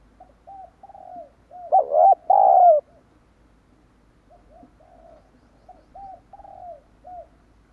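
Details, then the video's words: Spotted dove calling to lure wild doves: brief soft coos, a loud rough double coo with a long falling end, then a quieter run of short coos repeated over several seconds. "Chim cu gáy kích bổi nhanh nổi hiệu quả"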